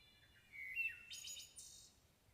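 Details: A Wood Thrush (Hylocichla mustelina) sings one phrase: clear, flute-like notes sliding downward, finished by a high, shimmering trill, against a quiet background.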